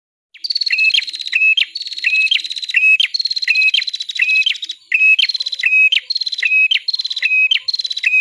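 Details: Bar-winged prinia song used as a training recording for songbirds: loud repeated phrases, each a buzzy high trill with a flat whistled note and a sharp upward flick, about 82 phrases per minute, no other sounds.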